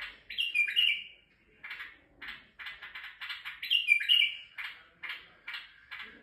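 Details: Singing male white-eared bulbul from Turkey, courting females, alternates two mellow, gurgling whistled phrases with many short, rasping chirps delivered in an uneven series.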